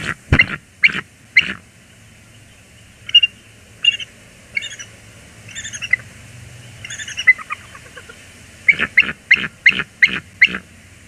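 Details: Bald eagle pair at Port Tobacco, USA, on 14 January 2021, calling loudly in greeting: scattered high chattering notes, framed by heavy knocking thumps at the start and a rapid run of sharp taps near the end.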